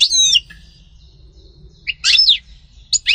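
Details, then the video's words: European goldfinch singing in short bursts: three brief clusters of high twittering, sliding notes, separated by quiet pauses of about a second. "غناء عصفور الحسون سطيلة ام قنين"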